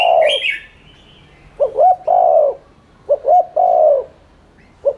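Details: Spotted dove cooing meant to lure and stimulate birds to coo; a falling coo with a bright chirp from another bird over it, then two full phrases of short rising notes and long hoarse coos in quick succession.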